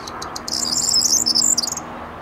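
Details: Corn bunting recorded at 19:00 on 23 May 2022 in the Rheindürkheimer Spieß nature reserve near Worms, Germany; a quick accelerating jangle of high, dry, glassy notes building into a jingling rattle, with faint low background hum.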